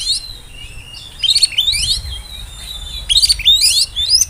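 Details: Oriental magpie-robin whistling song meant to stir rivals and draw young birds into singing; repeated rapid bursts of rising, trilled high whistles, roughly every two seconds.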